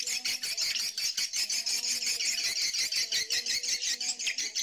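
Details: Edible-nest swiftlet colony and mating calls mixed into one lure track: dense, fast, high chirps repeat almost three times a second in an even pulsing stream, with faint lower murmurs beneath.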